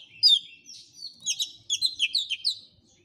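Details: Lively Oriental magpie-robin song aimed at prompting a silent male to answer a challenger: a rich run of fast warbled and slurred whistles, building into a rapid series of rhythmic notes.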